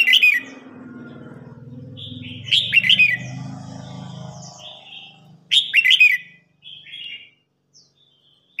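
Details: An old wild-caught red-whiskered bulbul challenges a young bird in a singing contest. Three loud, rapid warbled phrases rise and fall in pitch and are spaced a few seconds apart. A steady low hum and scattered soft twitters fill the gaps.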